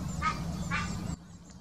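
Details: Egyptian goose giving its mating call, Wittlicher Senke, 2018: two rasping honks about half a second apart, then quiet, with low background rumble.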